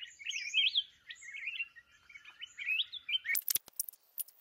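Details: Red-whiskered bulbul, a wild mountain bird, recorded during trapping with a decoy bird: bright warbled and slurred phrases, rising and falling, in quick runs, ending in sharp clicking and rattling knocks.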